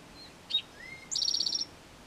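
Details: Male Eastern towhee in a back yard, first mating song heard after arriving April 22nd: 'drink-your-tea', a sharp high note, a lower slurred note, then a quick ringing trill, all within about a second.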